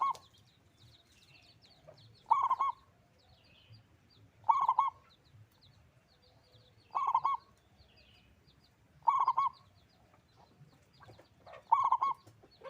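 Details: A loud local zebra dove keeps up its bubbling song: six short rolling coo phrases spaced about two to two and a half seconds apart. Light high chirping from other birds is heard in between.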